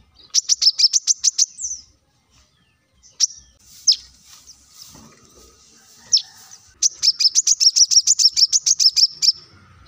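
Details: Plain-throated sunbird (kolibri kelapa) used as a lure to set other birds singing: fast series of sharp, high-pitched repeated chips, a quieter gap with isolated notes, then another long rapid run.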